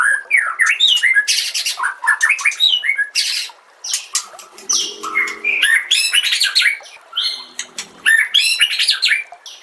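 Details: White-rumped shama song used as a master recording to train other shamas: a rich, fast, varied outpouring of whistles, slurred chirps and sharp buzzy notes with brief pauses.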